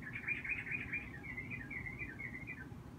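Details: Young yellow-vented bulbul, a regular visitor, giving excited calls while zooming in to bathe after grooming and hesitating; rapid chattering run of notes that slides gradually lower and fades, over a steady low rumble.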